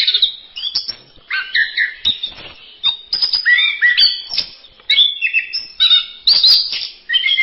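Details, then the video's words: Masteran-style song of an orange-headed thrush: separate crisp phrases of piping whistles and stuttered chirps, each about half a second, with brief silences between. "Berbagai kicau burung anis masteran"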